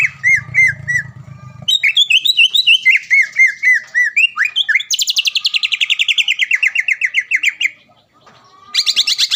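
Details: Greater green leafbird, a caged competition songbird from Palembang, singing a training song: rapid repeated chirps, then a fast rattling run of falling notes, ending in high twittering phrases.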